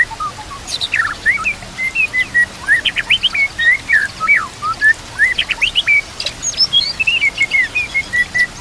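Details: White-rumped shama singing a full, varied song over natural ambience. Quick sequences of sharp downward sweeps alternate with clear, level and rising whistles in a steady rhythm of about five notes per second.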